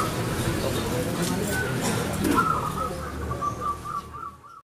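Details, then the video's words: Zebra dove (local perkutut) with a clear voice gives one long, pulsed, trilled coo near the end, after quieter notes, over low rumbling background noise before an abrupt cutoff. "PERKUTUT GACOR SUARA KRISTAL"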